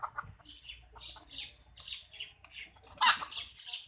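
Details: Backyard farm hens making soft, higher-pitched clucks and murmured notes at a moderate pace, with one sharper, louder squawk near the end over low background rumble.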